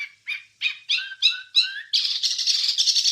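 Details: Wambie song recorded for training songbirds: six spaced rising-and-falling whistled notes with downslurred tails, about three per second, then a continuous dense, noisy warbled chatter.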